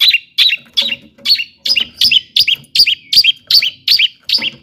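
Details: Long-tailed shrike song meant to excite other shrikes into singing: a fast, fairly even series of about twelve bright chirped phrases, each a high note dropping into a lower hooked one.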